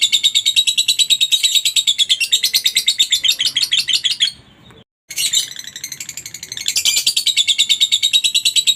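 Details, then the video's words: A lovebird's long ngekek, played as a lure so other lovebirds reply: a dense, shrill chatter of rapid pulses, a brief break partway through, then the same rattling run resumes. "pancingan Lovebird ngekek panjang ampuh buat Lovebird apa saja langsung nyaut dan rajin bunyi"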